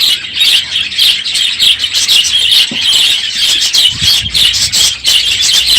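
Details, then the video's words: Budgerigars crowding an aviary at the end of the breeding season call very loudly one morning, a steady wall of harsh chirps and chattering warbles with brief pulsed pauses. "NOISY birds this morning!"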